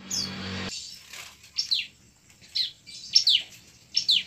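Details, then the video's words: Bar-winged prinia (ciblek) fighting call used as a lure to set young birds singing: high, thin, sharply down-slurred chirps, often in quick pairs, about one burst per second, after a brief rush of noise. "pancingan ciblek ampuh membuat ciblek bakalan langsung gacor"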